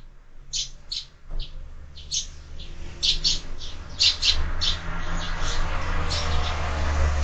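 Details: Sparrows chirping at a window feeder in the morning, quick high notes repeated in uneven bursts over a steady low hum.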